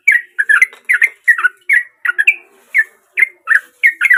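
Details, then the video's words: Sooty-headed bulbul song, a natural recording meant to trigger singing in quiet bulbuls: rhythmic bubbling phrases of two or three slurred notes, repeated roughly every half second, with soft low notes beneath. "Trucuk Dengan Suara Asli Dari Alam || Trucuk Gacor Cocok Buat Pancingan Trucuk Bisu"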